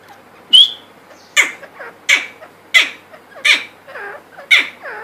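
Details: Grey francolin, called teetar, from Pakistan: loud, harsh, ringing notes repeated about every 0.7 seconds. Each note is followed by softer falling trailing sounds, over a quiet background.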